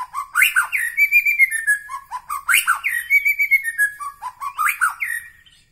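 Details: Loud, rich song of a white-rumped shama of the Medan Bahorok type: three similar phrases about two seconds apart, each a burst of harsh rising notes running into a sustained clear whistle, then lower falling notes.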